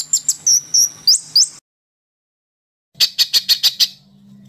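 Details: White-rumped shama, or murai batu, in an agitated training recording: a few sharp whistled notes and a quick slur, a pause of over a second, then six clipped high chips in quick succession.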